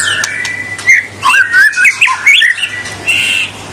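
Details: White-rumped shama singing energetically to provoke rivals, delivering a varied jumble of twisting whistles, squeaky chirps and sharp clicks in quick succession, with a steady low hum in the background.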